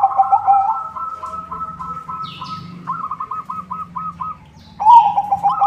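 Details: White zebra dove singing to lure other zebra doves: overlapping rippling coo phrases, then a clear run of six evenly spaced, bubbling notes, a short pause, and a louder trilled coo at the end; faint low background hum.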